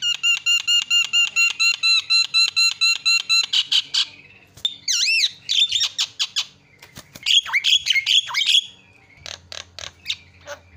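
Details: Loud Javan myna song from a training recording of a champion bird: a fast run of identical ringing harmonic notes, about two per second, then wavering whistles, harsh buzzy bursts and scattered sharp clicks.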